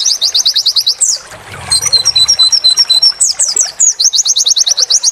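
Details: White-eye song for training a caged bird: rapid rising notes in a steady run, a brief pause, paired high-low whistles, then more quick rising trills and chirps.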